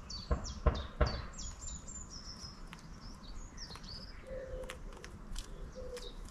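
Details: Long-tailed tits visiting a town give a scatter of thin, very high, sliding contact notes. Three dull knocks or footsteps come at the start, over a low outdoor rumble.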